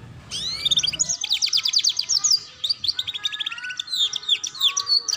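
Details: Ngeriwik-style canary training song for young birds: a long rapid trill of evenly repeated high notes running several seconds, followed by quick swooping whistles and chirps.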